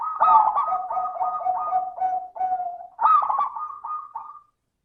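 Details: Zebra dove song in the clear, bright perkutut lure style used to coax silent doves: continuous layered coos on two steady pitches, broken into rapid beats, with a louder rolling phrase near the end.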